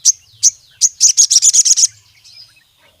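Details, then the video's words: ['Singing sogon (Crimson sunbird), meant to challenge rivals and get other sogon singing: three separate sharp high chips, then a quick run of about eight loud, buzzy trilled notes, fading into a faint twitter.'] "Sogon Gacor MEMANGGIL LAWAN, suara burung sogon untuk pancingan masteran sogon manapun jadi gacor"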